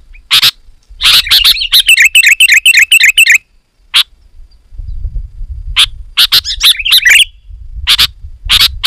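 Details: Loud, busy song of the sooty-headed bulbul, played to call wild bulbuls in: rattling harsh chips lead into quick repeated bubbly phrases, then sparse chips and a short warbled flourish over faint low rumble.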